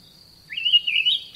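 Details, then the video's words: An olive thrush, a garden bird, gives one short warbled phrase that wavers up and down in pitch for under a second, over a steady thin high whine in the background. "Olive Thrush Bird Call"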